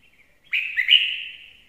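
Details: Red-whiskered bulbul singing, named as a well-singing lure bird: one loud, rich, warbling phrase of about a second that rises and falls, then fades out. Background quiet.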